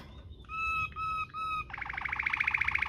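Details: Canary singing Waterslager-type rolling song meant as a tutor recording: three drawn-out pure whistles, then a fast rattling roll of rapid pulses.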